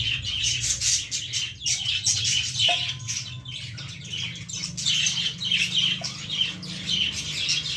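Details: Rapid, squeaky twittering from baby lovebirds in a plant runs almost without break, with a brief faint tone at mid-clip and a low hum underneath.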